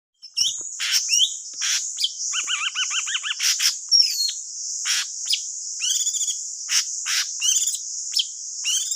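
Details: Thanh tước bird singing, used as a trapping lure: short sharp chirps and rapid warbled trills, including a quick rippling series near the middle, over a steady high-pitched hiss throughout.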